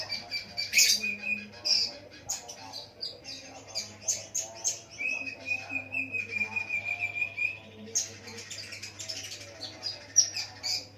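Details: Ruby-cheeked sunbird song, tutored with lovebird song and said to lure other sunbirds into singing: rapid high chirps and twitters, a sustained thin trill near the middle, and dense bursts of sharp notes, over a steady low electrical hum.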